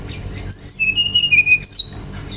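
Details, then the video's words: Brown-chested jungle flycatcher song meant to provoke other birds to sing: a brief phrase of clear whistles falling from very high to mid pitch, ending in a sharp rising-falling flourish. "PANCINGAN GACOR SRDC agar cepat ngeplong"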